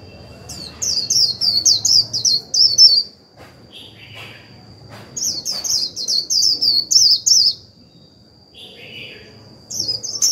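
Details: Caged decoy white-eye singing the 'líu' style of song, used to stimulate newly caught birds to sing. Two bursts of rapid, high, twittering notes, each about two and a half seconds, under a steady thin high tone.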